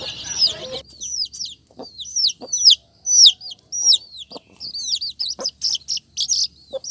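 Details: Colourful chicks peeping after a brief noisy start: sharp high notes sliding downward, repeated irregularly in singles and bursts, with a few soft low taps.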